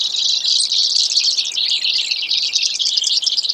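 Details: A Brewer's sparrow delivering an even, steady high trill that buzzes on without a break from start to finish.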